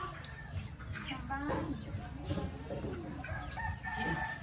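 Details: Chicken in the morning, giving harmonic, drawn-out crowing and clucking calls that rise toward the end, over a steady low background rumble.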